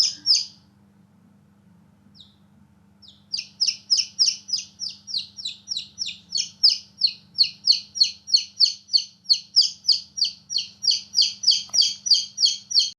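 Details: Newborn chicks playing outside give a loud, insistent chain of high descending peeps, roughly three per second, after a brief opening call and a short pause.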